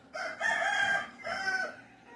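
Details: A rooster crowing in Puruándiro, Mexico, as the animals wake up, a loud harmonic crow in two drawn-out phrases, the first longer and wavering, the second shorter and falling away.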